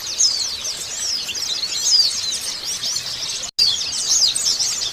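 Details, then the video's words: Post-moult white-eye singing when stimulated: dense, fast, high-pitched chattering twitters with rising and falling slurs, broken by a brief silent gap before the song resumes. "merangsang pleci bunyi setelah mabung"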